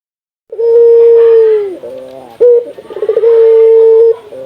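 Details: Local Indonesian Barbary dove, its calling used to stimulate other doves to call, giving a long steady low coo that trails downward, a short rolling burst, then a second long even coo.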